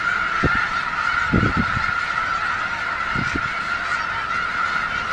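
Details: A large gathering of snow geese in Skagit County, Washington, shortly before migrating north. Countless overlapping honks merge into an unbroken, even chorus, with several nearer, deeper honks rising above it in short bursts.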